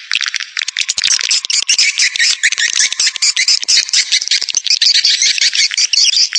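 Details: Swiftlet lure sound: a dense, unbroken stream of sharp, buzzy twittering chirps, high-pitched and overlapping throughout, with rapid clicking pulses running underneath.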